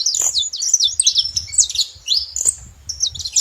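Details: Saffron finch chatter at a feeder, thin high notes sliding and zigzagging, some drawn out, others clipped, running almost without pause, with a soft clicking sound and low background noise.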